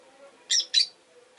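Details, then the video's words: Two quick harsh squawks from rosy-faced lovebirds with orange faces and green bodies, caged near a window, with low street rumble behind. "Lovebird Chirping Sounds"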